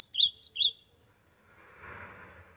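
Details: Ultramarine grosbeak (azulão), in the sertão, singing to warm up: a brief, bright phrase of four clear whistled notes dropping in pairs, followed by soft background hiss.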